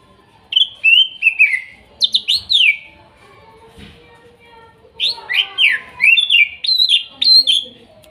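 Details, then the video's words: Greater green leafbird (cucak ijo) song, wild-sourced in Kuningan forest, trotol and nopeng birds: two bursts of loud, rich downslurred whistles separated by a quiet gap with a low hum, meant to restart a bird's singing. "TERAPI CUCAK IJO MACET BUNYI BAHAN HUTAN KUNINGAN TROTOL DAN NOPENG"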